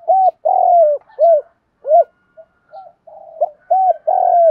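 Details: Spotted doves, male and female, cooing to excite training birds; loud arched coos repeat nearly every half second, with a brief quiet patch and soft notes midway before more strong coos resume.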